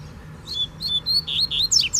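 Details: Wild free-flying rusty-collared seedeater challenging a caged male: a rapid run of sweet whistled notes, slurred up and down, ending in sharp steep high sweeps, with faint low rumble behind.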